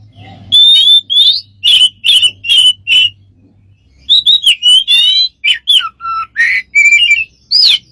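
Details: Smart bird making lots of strange sounds: a row of five similar harsh chirps, a pause with low hum, then a rapid mix of whistles, slurred notes and low downward tones.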